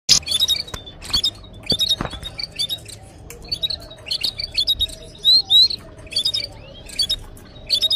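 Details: Red canary at a nest with chicks and eggs, used as a training recording: a busy, high song of rapid chirps, trills and short whistled notes in quick bursts, with a low background hum and occasional clicks.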